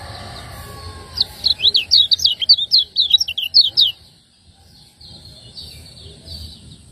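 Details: Lemon-bellied white-eye from Lombok, ciak ciak style master song for cage-bird training, delivering a rapid run of sharp, high chirped notes over almost three seconds before falling silent, faint hum beneath.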